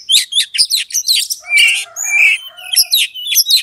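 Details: Kacer, or Oriental magpie-robin, delivering a loud fighting song meant to rouse a rival into combat; fast, scratchy, high twittered notes give way to sliding whistles, then clipped bursts return in quick succession.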